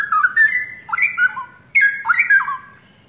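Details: Young pair of forest-origin straw-headed bulbuls, long in an owner's care in Indonesia, singing vigorously. Three brief phrases of loud, mellow whistles sweep up and down in quick succession.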